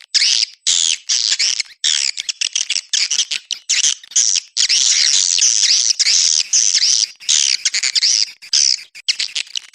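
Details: Swiftlet calling sound, the style called Anak Muda, used to attract swiftlets: dense, nearly continuous high buzzy chirps and twitters from many birds, broken by short gaps, with rapid rasping trills throughout.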